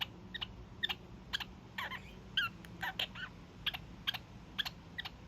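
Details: A young male kakariki giving his daily evening honks: short, nasal honking notes about twice a second, mixed with a few scratchier chattering bursts, against a faint low room hum.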